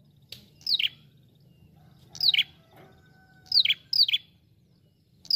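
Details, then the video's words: Chatty ashy prinia used to attract birds, uttering steeply falling chirps, singly and in pairs, separated by short gaps; a faint tonal hum in the middle and low background noise. "Pikat prenjak kepala merah gacor ampuh"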